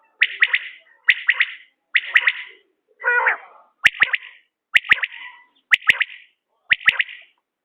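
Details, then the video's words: Common quail calls, linked to quail hunting: steady phrases of three quick, piercing notes, one per second, broken once by a buzzy lower sound. Sharp clicks punctuate the later phrases. "بٹیر کی عمدہ بولیاں"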